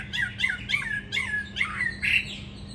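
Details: Tamed fighting hwamei in a cage in Hà Nội, Vietnam, repeating a short, downslurred whistled note about three times a second, the last one harsher and buzzier.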